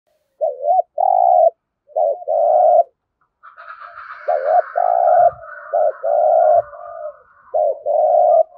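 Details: Spotted dove giving the thúc gù coo in the resonant rolling thổ rền voice: short double notes then long throbbing mid-pitched coos, in pairs; a fainter higher drawn-out sound runs behind the second half.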